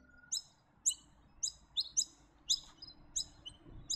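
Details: Noisy Miner, a honeyeater protective of food that flies in noisy flocks, giving its alarm call that signals a bird of prey nearby, around Gatton and the Lockyer Valley; sharp high chirps repeated about twice a second, faint background hum.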